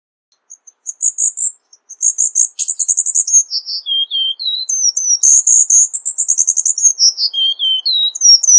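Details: Cuban bullfinch singing a lively, varied jumble of high twitters, rapid chattering bursts and short downslurred whistles, with a few lower notes mixed in, steady throughout.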